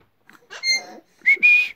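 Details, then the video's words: Pet Alexandrine parakeet indoors producing a short voiced, speech-like sound followed by a bright sustained whistle, with a person coaxing nearby. "Talking Parrot Saying Good Night"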